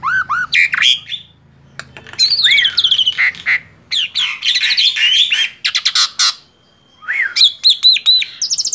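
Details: Male black-winged starling, tame and singing hard: looping whistled notes, buzzy harsh squawks and rattling chatter in lively bursts, with a steady thin tone near the end and brief silences between phrases.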